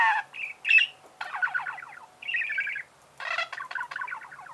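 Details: Chattering budgerigar: squeaky chirps and fast, rippling warbled phrases, some buzzy, alternating with brief gaps.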